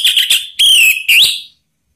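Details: Orange-headed thrush call played to encourage other birds to sing: a loud, steady whistled note with a wavering start, followed by a longer even whistle and a final upward-curving slur.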